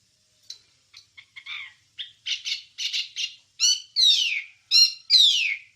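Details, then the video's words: Wambie song used as master material for training songbirds. It opens with sparse, short chips, then grows into loud, harsh squawky notes with falling sweeps, roughly one a second, building in volume toward the end. "Ocehan Suara Burung Wambie"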